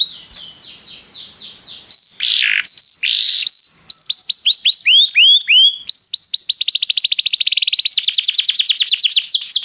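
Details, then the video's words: Canary singing restlessly, opening with a softer, slower run of notes, then loud buzzy bursts and a level whistle, before accelerating into dense, rapid high trills. "o canário cantava inquieto"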